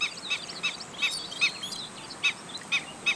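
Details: Black-winged stilt calling when alarmed: squeaky, piping kek notes, high and sharp, given irregularly about three per second among softer chirps, over steady background hiss.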